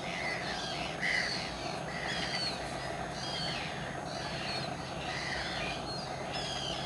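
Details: Common terns at RSPB Saltholme on 17 July 2012: overlapping harsh, rasping calls from many birds, short downslurred notes repeated throughout, over a steady background hum.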